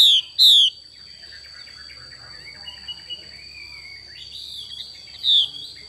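A female Chinese hwamei gives sharp, high, down-slurred whistled notes: two quick ones at the start and another near the end, over a thin steady whine and faint chatter.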